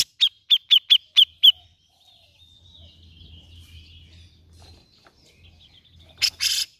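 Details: Grey-cheeked bulbul, played as a lure to stimulate a reluctant bird to sing. A quick run of six sharp, chirpy notes, then quiet with low rumble, and a harsh, rasping burst near the end.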